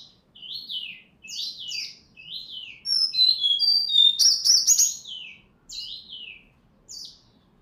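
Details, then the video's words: Sumatran white-rumped shama from Bengkulu in full song: rapid repeated downslurred whistles, then a dense burst of trills and harsh chattering notes in the middle, followed by more spaced whistled phrases. "SRDC Asli Bengkulu Sumatera Gacor"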